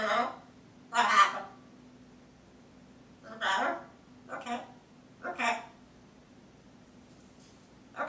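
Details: Female blue-and-gold macaw talking to herself indoors. She gives short, hoarse, speech-like bursts of syllables with pauses between them, over a steady low hum in the room.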